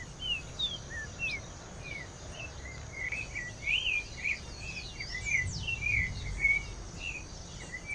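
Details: Green-winged saltator singing, stimulated by rufous-bellied thrush song: a run of short whistled, looping notes around mid-high pitch, uneven but steady, over a constant high insect-like hum and low background rumble.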